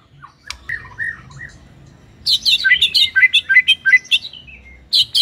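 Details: White-rumped shama singing: faint soft whistles at first, then a loud rush of high, jumbled twittering and chattering notes with quick pitch jumps.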